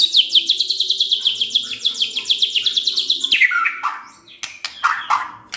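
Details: White-rumped shama singing a lure song meant to rouse other birds into full song: a fast run of repeated sharp notes near high pitch for three seconds, then scattered louder slurred whistles and clicks.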